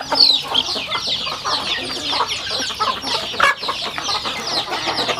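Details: Home-raised rural chickens while eating, with constant high chirping peeps from many birds, scattered sharp pecking taps and occasional low clucks forming a busy, steady feeding chatter.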